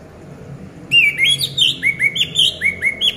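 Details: A caged orange-headed thrush, played as a lure to get silent birds singing, sings rapid, bright whistled phrases after a quiet start. Each phrase is a slurred note dropping or rising, repeated about three times a second.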